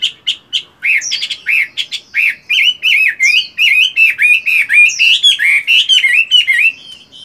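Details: Moulting caged fighting hwamei still singing in morning voice training: a continuous, loud stream of varied whistled and warbled notes, rising and falling quickly, several per second without pause.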